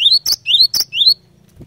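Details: A cinereous tit calls in challenging fighter song aimed at making rival tits respond: three rising slurred whistles, each followed by a sharp high note, quickly repeated, then silence.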